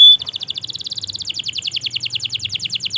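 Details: Canary in long continuous song, played to encourage stalled canaries to sing: a brief high whistle opens, then a quick, buzzy trill of short descending notes repeats steadily for the rest.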